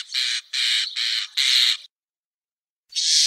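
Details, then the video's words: Common starling (Sturnus vulgaris) giving harsh, rasping, noisy squawks: four broad scratchy bursts in quick succession over about two seconds, then a silent gap and one more grating burst at the end; no other sounds. "Обыкновенный скворец (Sturnus vulgaris) - голос"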